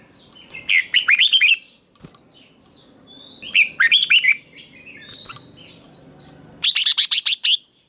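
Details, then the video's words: A red-whiskered bulbul decoy sings fighting-contest song for training. Two phrases of quick, liquid whistles are followed by a fast series of sharp, buzzy repeated notes, all over a persistent high-pitched insect-like drone. "Chào mào mồi hót đấu quá tuyệt!! - Luyện giọng Chào mào hót hay"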